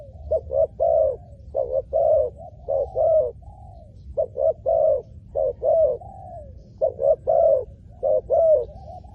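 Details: Spotted dove calling to lure wild doves down to the ground. A rapid series of phrases, each with two or three short coos and a longer falling coo, ending in a soft trailing note. Phrases come every second or so.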